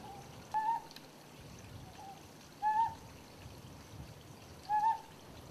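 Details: Ryukyu scops owl on Yonaguni, described as giving male and female calls: soft, low, hollow hoots, the louder ones about every two seconds, with quieter answering notes between them over a steady hiss.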